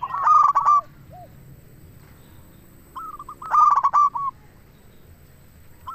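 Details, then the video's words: Zebra dove, local type, singing energetically for luring other doves; two loud clusters of rapid coos about three seconds apart, each ending in softer falling notes, with near silence in between. "Perkutut Lokal Gacor RAJA PIKAT Ahlinya Bikin Semua Burung Perkutut Langsung Nyaut"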